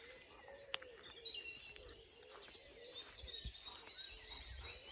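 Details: Dawn chorus on a farm in County Kilkenny, Ireland, just before dawn as bats still fly: many birds with overlapping high chirps, trills and whistles and a lower repeated warble.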